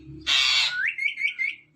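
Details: Pet talking ring-necked parakeet indoors: a loud, harsh broadband squawk, followed by a rising whistle that breaks into a wavering, warbled string of whistled notes fading out, with faint low room noise.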